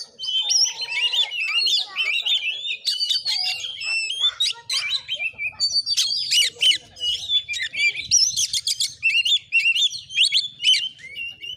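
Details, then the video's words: Caged Oriental magpie-robin in fighting mode, recorded at a neighbour's house in Padang Gading village, Sungai Rumbai, Muko Muko, Bengkulu; loud, rapid varied song of whistles, harsh buzzy notes and fast chattering trills, continuous throughout. "Kacer tarung|pancingan Kacer gacor|Kacer Konslet"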